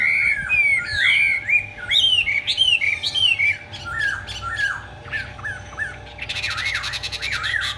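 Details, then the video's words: Displaying hwamei with tail fanned and wings spread, pouring out loud swooping whistled phrases, some slurred downward, with a brief broadband hiss near the end. "chim họa mi hót xòe, chơi cánh đại bàng"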